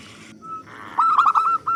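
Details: A loud local zebra dove sings to lure other doves: one brief burst of quick buzzy whistled coos after a soft lead-in note.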